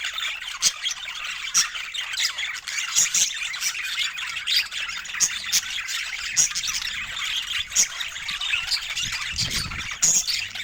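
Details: Budgerigars chirping with joy over fresh food: a dense, high warbling chatter with sharp clicking chirps that stand out every second or so. No words or music.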